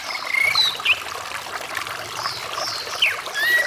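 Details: Orange-headed thrush song mixed with running water, played as therapy for a bird that has stopped singing: short, sharp whistled notes and slurred rising phrases over a steady trickle of flowing water.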